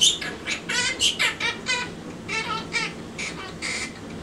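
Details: Caged quaker parrot practising the French children's song Alouette, which it sings only inside its cage: a steady rhythmic string of harsh, nasal, speech-like syllables, about three per second, with occasional sharp whistled accents.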